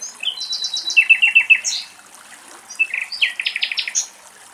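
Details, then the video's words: Common nightingale singing in woodland beside a river in Greece, with cows cooling on the banks: two rich phrases of rapid repeated notes jumping between high and middle pitches, brief pause between, over faint rushing background. "Αηδόνια Κελάηδημα"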